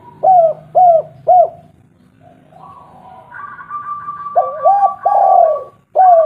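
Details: Spotted dove, local bird, used as a lure to prompt other doves to call. Three evenly spaced, falling, hollow coos, then a quieter stretch. A loud phrase follows with hooked notes and a long swelling coo, closing on another short note.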